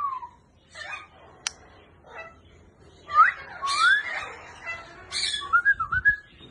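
A grey parrot gives a run of clear, upslurred whistles and short wavering notes, mixed with a few harsh, noisy squawks.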